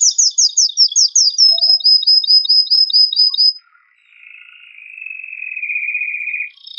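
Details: Male canary in strong, excited song meant to stimulate female and male canaries to mate: quick repeated downslurred notes give way to a steady high trill, a short pause, then a softer, lower rolling trill.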